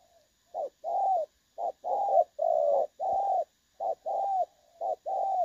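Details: Spotted dove call from a decoy bird used in trapping, clear and pleasant-toned: short coo then longer level coo, repeated in quick pairs, one brief soft thud mid-sequence, faint steady high hum behind.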